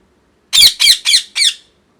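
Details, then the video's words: Pet parrot, moulting and missing feathers, calling indoors; four loud, harsh, raspy squawks in quick succession, each about a quarter second long, with silence before and after. "Parrot Chirping Sounds | Natural Parrot Sounds | Parrot Calling Sounds"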